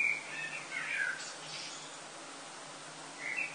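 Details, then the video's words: Summer blackbirds singing before sunrise in Lille, France, early August: a short fluty warble with a higher scratchy tail, then quiet, and a brief whistled note at the end against soft constant background noise. "Chant des merles avant le lever du Soleil en été"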